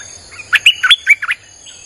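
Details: Streak-eared bulbul, a recording played to lure wild birds, singing without pause: a quick burst of about seven short, liquid, chirping notes, some rising and some falling, over a faint steady high-pitched tone.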